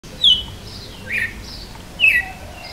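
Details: Red-cowled cardinal singing in the açoite style: three sharp, clear whistled notes, each sliding downward, spaced about a second apart over a quiet, slightly hissy background.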